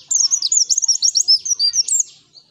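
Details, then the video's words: Energetic white-eye (pleci) song used as a lure, ngalas style: one continuous two-second phrase of rapid, high, tumbling whistled notes that fades away at the end, with almost no other sound. "Pancingan PLECI GACOR Ngalas N3mbak"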